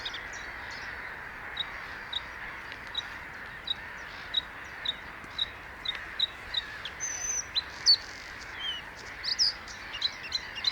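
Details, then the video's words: Singing Bluethroat giving a string of short, sharp ticking notes at steady intervals, then clearer piercing whistles and buzzy high phrases toward the end, over a constant hiss. "Cute Bluethroat singing (Luscinia svecica) - Blaukehlchen"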